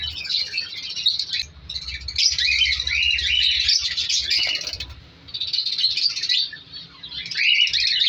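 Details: Aviary breeding colony of colour lovebirds in winter: rapid high twittering and sharp chirps in long overlapping waves from many birds, easing briefly before resuming.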